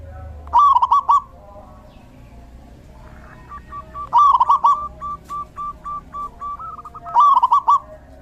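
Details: Zebra dove song recorded in the rainy season, three loud stuttering trills roughly three seconds apart, linked by runs of short, evenly repeated soft notes.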